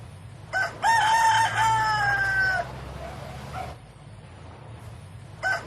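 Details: Rooster crowing: one long cock-a-doodle-doo that rises, holds, then falls over about two seconds. The ends of other crows are cut off at the start and end, with a low background rumble.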